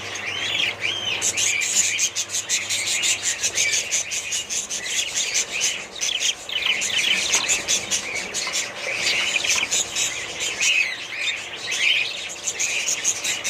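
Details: Budgies, kept parrots, in a dense continuous chatter of high warbled chirps and squeaky trills, many voices overlapping without pause, with occasional sharper notes standing out.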